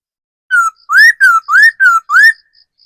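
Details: Decoy laughingthrush, a mature wild bird, giving six rich whistles in quick succession, alternating falling and rising slurs about every third of a second. Background is quiet.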